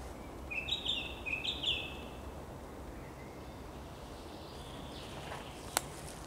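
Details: Song thrush singing on 6 May 2021: two bright whistled phrases, each quickly repeated, in the first two seconds, followed by a quiet stretch with faint distant notes and a single sharp click near the end.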